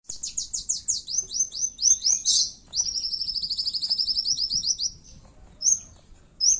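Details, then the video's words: Kowul used as a lure for fighting birds, singing in a fierce contest style; high, thin trills and rapid down-slurred notes, including a long even trill lasting about two seconds, followed by short sharp whistles. "pancingan suara burung kowul tarung"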